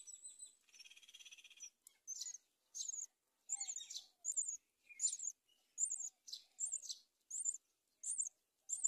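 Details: Mother myna bringing locusts to her chicks on a palm tree nest. A buzzy, drawn-out tonal note opens, then a dozen rasping high chirps come in quick, uneven succession.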